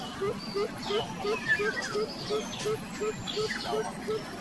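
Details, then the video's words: Coucal mother angry at her chicks, which stay hungry despite much feeding: a regular run of about twelve low, hollow hoots, evenly spaced. Scattered higher chirps sound over a background rumble. "INDUK BURUNG BUBUT Marah KEPADA ANAKNYA SUDAH BANYAK DI BERI MAKANAN TAPI TIDAK KENYANG JUGA"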